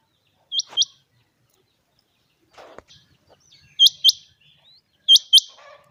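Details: Chinga quail in clear, sunny weather giving bright paired notes, two sharp rising chips in quick succession, three pairs with short gaps, faint rustling between them.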